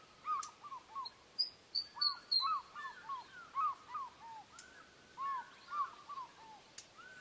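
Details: Osprey giving high-pitched whistles: a long run of short, arched whistled notes repeated several times a second, broken by a brief burst of thin, higher flat whistles, all over a steady hiss.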